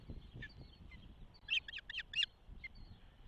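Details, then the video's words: At a Montana osprey nest in Charlo, 12 June 2024, first hatch day: four loud, shrill chirps in quick succession, with fainter chirps before and after, caught by a nest camera. "Hatch 1 -Charlo Osprey"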